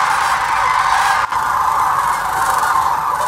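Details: A large flock of migrating sandhill cranes at Hiwassee Wildlife Refuge, Birchwood, Tennessee, where thousands stay from mid-October to February, calling together, their rolling, trumpeting bugles merging into a steady, unbroken chorus with no pauses.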